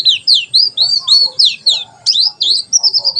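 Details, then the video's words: Fast white-eye song in the tembakan sejalur style for tutoring birds: clear, high whistled notes that swoop down, about three or four per second, finishing in a quick rippling trill. "Pleci tembakan sejalur"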